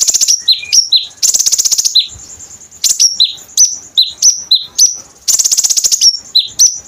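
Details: Konin bird song recorded for training: loud rapid buzzy trills interleaved with crisp high downward-slurred chirps and a brief thin whistle, in lively, irregular phrases.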